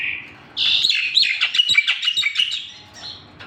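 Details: Javan pied starling giving a short burst of song: after a soft opening note, a loud tumble of mixed whistles and scratchy chirps that fades out near the end.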